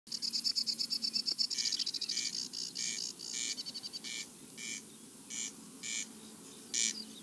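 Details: White-winged terns at a nesting colony, filmed in 2021: a fast chattering run of short, sharp notes, then loud, harsh, rasping calls repeated roughly every half second to second, over a faint low steady hum.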